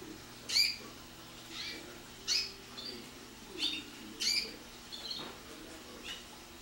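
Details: Young canary in early song training using wild bird notes (silvestres) built into compuestas and a bit of rolled tour: a run of sharp high chirps and short trills, roughly one every second or less, over faint room hum.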